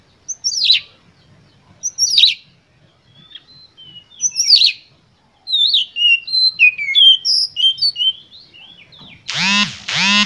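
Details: Oriental magpie-robin lure song, sung with full emotion to stir other birds into singing: three rasping high bursts spaced about two seconds apart, a quick chain of sweet slurred whistles, then two loud, deep harmonic cries at the end.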